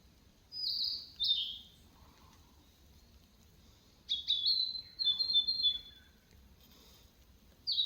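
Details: Little bird singing bright, high chirped phrases: two quick notes early, then after a pause a longer run of trilling, wavering whistles, and a final chirp at the close.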